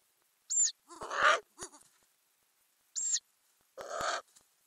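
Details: Ural owl nest box in May, adults and growing owlets: short high squeaky notes alternating with longer breathy rasping hisses, with soft knocks between them.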